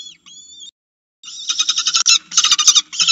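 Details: Falcon on a nest-camera ledge begging for food: a thin, wavering whine first, a short gap, then a loud, rapid, grating chatter of pulsed notes in two bursts.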